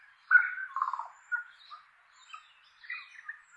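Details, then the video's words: Tui flock exploring oak trees in inland Kapiti, New Zealand; a burst of rich warbled notes, then scattered softer chirps and squeaks from several birds with quiet gaps between. "Tui Flock with Bird Song in Oaks"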